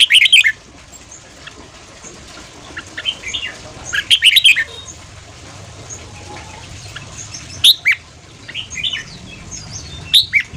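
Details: Quick morning 'ché' style training song of Red-whiskered bulbul for rousing newly caught birds: short loud bursts of warbled, slurred whistles every few seconds, with softer chirps and background hiss in between.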